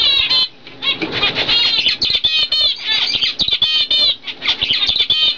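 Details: Captive pair of zebra finches, normal cock and fawn hen bred in 2012; rapid nasal beeping and buzzy trills in dense bursts, a brief lull near the start, then steady chatter.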